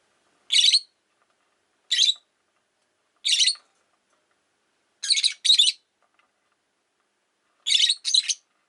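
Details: Five pet rosy-faced lovebirds in a window-side cage call with sharp, raspy chirps, singly or in quick pairs, repeated roughly every one to two seconds against a quiet background.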